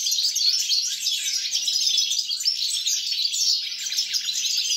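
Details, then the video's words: Song of a European goldfinch from 29 December 2022, an unbroken torrent of quick, high chirps, trills and liquid twitters delivered without pause, over a faint low hum. "GOLDFINCH SONG"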